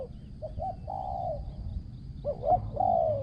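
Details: Spotted dove used as a ground decoy, praised for good phrasing and coos. Two short hiccup notes lead into a drawn-out, hoarse coo, then the phrase repeats over a low rumble.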